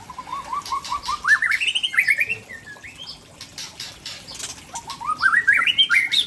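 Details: White-rumped shama from Tangse, Aceh, pouring out rare fill-in material: quick strings of short notes climbing step by step into higher slurred whistles, a pause, then another rising run. Light background hiss.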